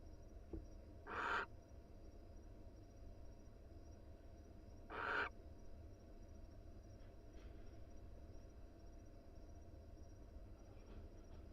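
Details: Wild barn owl pair cuddling inside their nest box: two broad, noisy hissing screeches about four seconds apart, each under half a second, over a steady low hum.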